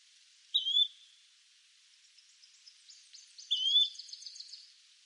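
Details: Yellow-bellied flycatcher (Empidonax flaviventris), a small insect-eating tyrant flycatcher of eastern North America, giving two short, rising whistled notes about three seconds apart.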